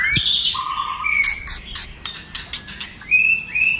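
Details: White-rumped shama song meant to stir other shamas to sing: steady whistled notes on different pitches, broken by bursts of harsh clicking, then two level whistles.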